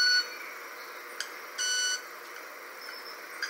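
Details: A male Club-winged Manakin, one of two displaying to a female at the 23 de Junio Reserve, Ecuador, gives a sharp tick, then a sustained, ringing, violin-like tone lasting about a third of a second, over a soft forest hiss.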